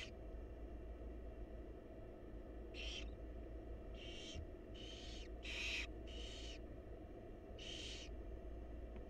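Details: Nestling barn owls, wild and filmed in a nest box, beg while the mother feeds them; a cluster of short raspy hisses follows a quiet start, several in quick succession, with steady low hum.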